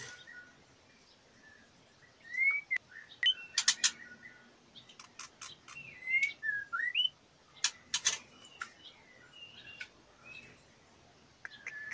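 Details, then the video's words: Breeding-condition female white-rumped shama, fluttering as she asks to mate, gives quiet, scattered whistled slurs mixed with sharp clicks and ticks over a soft background hiss. "MURAI BETINA BIRAHI NGLEPER-NGLEPER MINTA DI ENCUS-CUSS"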